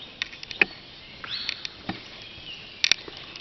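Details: Cave swallows at the natural entrance of Carlsbad Caverns, where they nest along the cave walls; short high chirps and a rising swept note echo in the cave, with scattered clicks and taps.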